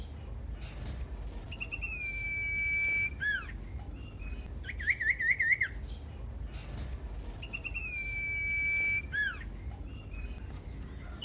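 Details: Common iora song used to provoke other ioras: a long steady whistle ending in hooked notes, a quick trilled phrase, then the drawn-out whistle repeated, with soft background chirps.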